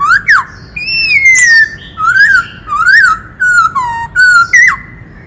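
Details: Varied song of a White-cheeked laughingthrush, the forest bird singing to rouse males, with many voices: loud whistled phrases, each swooping up then sliding down, broken by sharp chipping notes, repeated in quick succession.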